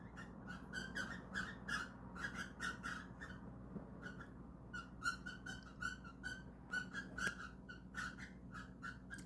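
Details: Pet cockatiels indoors, caught in the act of trying to mate: rapid bursts of short, harsh, chattering notes repeated in quick runs for the whole stretch, with a pause near the middle, over a low steady room hum.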